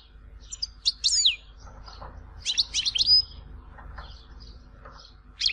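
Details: European goldfinch from Tizi Ouzou giving short separated bursts of high, sharp twittering with a curving slurred note, between quieter pauses over a low hum.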